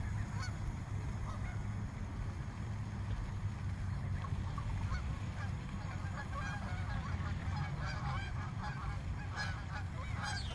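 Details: A frightened swan flock of over one hundred birds in a small park keeps up a dense chorus of honking calls, thickest near the end, above continuous low-pitched background noise.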